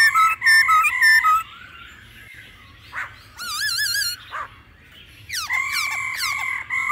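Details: Mature forest-voiced laughingthrush song together with female calls, played to provoke a freshly caught bird to sing. Quick clear whistles, isolated harsh bursts, a quavering warbled phrase, then rapid descending slurred notes.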